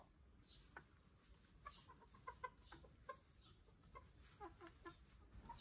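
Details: Hens and a cockerel in a chicken coop, busy feeding and laying eggs, make soft, scattered clucks and brief notes at irregular intervals against a quiet background hum.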